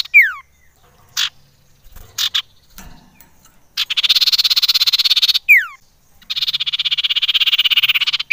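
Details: Lure call of the common iora: a falling whistle and a few scattered notes, then two long rapid buzzy trills separated by a sharp descending whistle.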